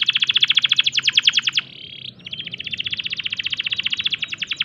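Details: Breeding-condition canary produces a dense rapid trill, a brief softer warbled pause, then another long fast rattling trill; faint room hum beneath.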